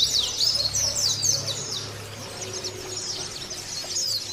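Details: A caged white-eye sings to prompt others of its kind: an energetic burst of high chirping and twittering in the first two seconds, then softer, fainter twitters over a low electrical hum.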